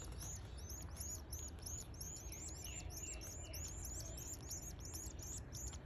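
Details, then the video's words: Canary chicks eleven days old begging while being fed: a dense, continuous chorus of thin, very high arched cheeps, several birds overlapping many times a second, over a steady low hum. "Feeding frenzy canary chicks day 11"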